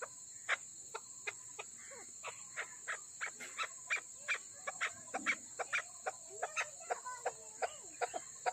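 A female chukar gives sharp, clucking notes about two or three per second, some with a brief nasal twang, over a constant high insect hiss.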